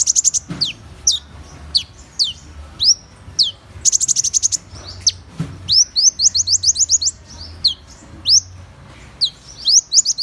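Van Hasselt's sunbird gives high, thin, sharply descending tseep notes and quick buzzy trills, repeated in uneven bursts throughout, with a faint low hum underneath.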